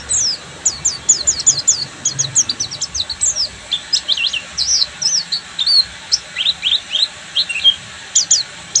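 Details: Buxtomi Oriental white-eye singing full ngeriwik, with a dense rapid burst of high falling chips, then a long run of sliding, slightly lower twitters, nearly without break.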